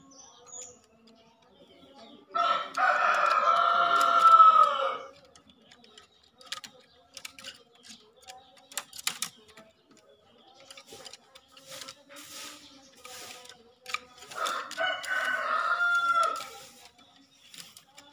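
A green junglefowl gives two hoarse, rooster-like crows about ten seconds apart.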